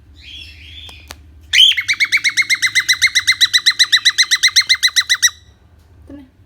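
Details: Pet cockatiel singing indoors while its owner coaxes it to sing again: a fast, even series of about twenty-three sharp chirps, roughly six per second, after a softer whistled note and a low hum.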